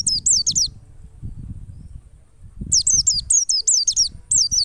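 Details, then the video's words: Wild white-eye song meant to coax white-eyes into singing: a short run of high, slurred, falling notes, then after a pause a longer, faster string of the same shrill notes, over a low rumbling background. "PLECI NGALAS power super mantap PAS banget buat PANCINGAN PLECI agar buka paruh"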